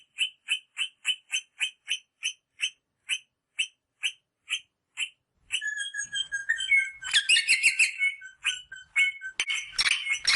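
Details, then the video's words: Rosella sounds played to stimulate mating: a steady run of short, clear piping notes about twice a second, slowing slightly, then a busy burst of overlapping chattering whistles from several birds. "صوت طائر الروزيلا للتحفيز على التزاوج │The sound of the rosella bird to stimulate mating"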